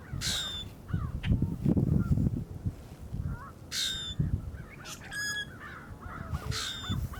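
Common Grackle giving four harsh, squeaky, rasping bursts about every one to two seconds over steady low rumbling background noise.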